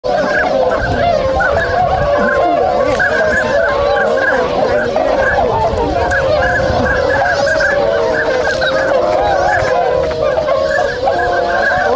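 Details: Flock of swans waking and starting to move at a swan wintering site in Inzai City, Chiba, Japan, on 16 January 2022; dense, continuous chorus of nasal, trumpeting honks from many birds overlapping without pause.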